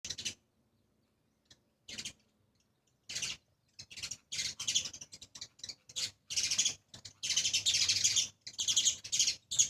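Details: Sparrows, two parents with their two young, visiting a seventh-floor spot to eat grains; bursts of bright, high chirping come in clusters, sparse at first and then nearly continuous toward the end.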